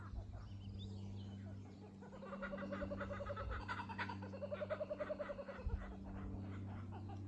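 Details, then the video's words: A Kookaburra in a gum tree at Trentham on 23 October 2023 gives two bursts of rapid, chuckling notes that rise and fall, each lasting over a second, over a steady low hum. "Kookaburra singing in gum tree"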